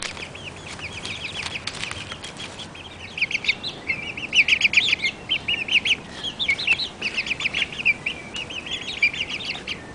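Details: A flock of month-old chicks of the Barred Plymouth Rock breed cheeping loudly, a near-continuous chorus of sharp, high, repeated peeps that builds after a quieter start.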